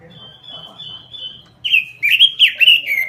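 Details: Robin in energetic gacor form, opening with a drawn-out level whistle, then bursting into quick, loud, twisting warbles that rise and fall several times per second over faint low background noise.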